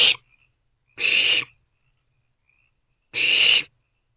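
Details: Three owlets in a nest box, morning of 13 April 2024; loud harsh rasping hisses spaced about two seconds apart, silence between.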